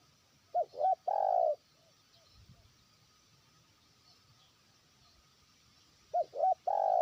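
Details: Trained spotted dove used for luring, calling to a faraway rival. It gives partial cooing phrases of fast stuttered notes and a long coo at the start and end, with a quiet gap between them and some faint background noise.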